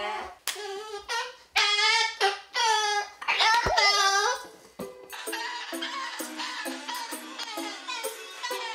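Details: A pet umbrella cockatoo, known for greeting strangers outdoors, in an alley at night repeats a mimicked "hello" in loud, wavering, harmonic bursts over the first few seconds, then bouncy background music takes over.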